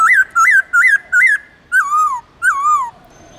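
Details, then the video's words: Wild-voice song of a white-cheeked laughingthrush from the Central Highlands, sung with long clear notes: four quick up-and-down whistled phrases in a row, then two longer rich whistles that rise and fall smoothly. "Luyện khướu bạc má Hót Giọng Rừng kích khướu hót cực sung/khướu Tây Nguyên hót giọng rừng âm dài rõ"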